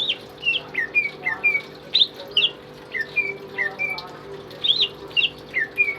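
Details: Tame caged pet greater green leafbird singing actively, kept as a song tutor for other birds: a steady run of short, slurred whistled notes, some rising and some falling, about two per second, over a low steady indoor hum.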